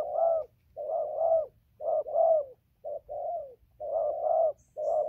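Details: Spotted dove giving repeated coo phrases, each of two or three soft hooted notes, the final note drawn out, about one phrase per second in a quiet setting.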